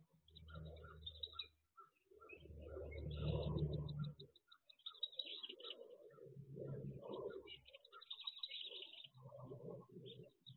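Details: Wood duck ducklings inside a nest box on their 2023 jump day, with a green heron hunting nearby, give a rapid run of high, thin peeps, several per second, over heavy low thumping and scraping rumble.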